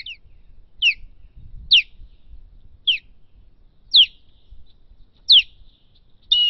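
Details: Osprey at its nest during an ongoing battle over the nest: loud, clear whistled calls, each sliding sharply downward, repeated about once a second in a steady series, with faint low rumbling noise beneath.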